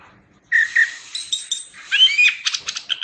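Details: Chestnut-backed thrush giving a brief burst of rough whistles and buzzy notes, ending in a few quick harsh chirps.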